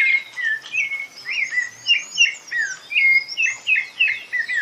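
A rufous-bellied thrush sings a continuous run of clear, fluty whistled phrases, slurred up and down, about three notes a second, with softer high notes woven behind.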